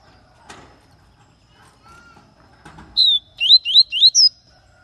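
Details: Papa-capim from Bahia, a lively and tireless singer, recorded in Aracaju, Sergipe; faint background noises, then a quick burst of four or five high, sliding whistled notes, the last one rising.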